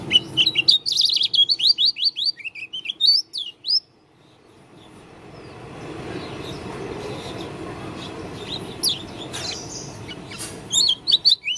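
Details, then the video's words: Oriental white-eye from Lombok, a dakun-style bird, singing an odd song: rapid high chirpy notes in quick runs for about four seconds, then a pause with low background rumble and a few scattered chirps near the end. "Pleci dakun lombok suara aneh"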